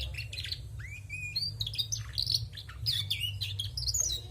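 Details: A female canary sings a busy, varied phrase of high chirps and bright trills, with a clear rising whistle near the start and sharp notes toward the end, over a steady low background hum.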